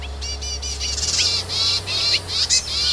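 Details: Yuhina in the wild searching for food for its young; a dense run of buzzy, harmonic, high-pitched notes in quick overlapping bursts, with brief louder peaks toward the end and a steady low hum beneath.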